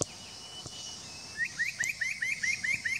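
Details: Spot-breasted parrotbill, Doi Lang, Fang, Thailand, 25 March 2017: eight sharp upward-sweeping whistles in an even, rapid series, preceded by a thin steady whistle from another bird, with insect buzz behind.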